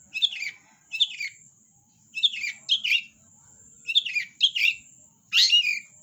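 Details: Long-tailed shrike song: paired scratchy, descending notes in irregular bursts, ending with a longer harsh rasping phrase, over a constant faint high hum.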